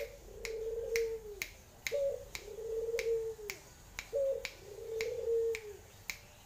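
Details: A tame Barbary dove gives low, soft rolling coos, each about a second long, repeated three times, with sharp dry clicking snaps at a steady beat throughout.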